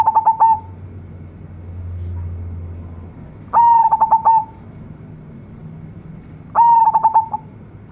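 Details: Local zebra dove, offspring of a champion decoy bird, with a brilliant voice. Three loud cooing phrases come about three seconds apart, each a rising onset followed by fast stuttered beats, over a low background hum.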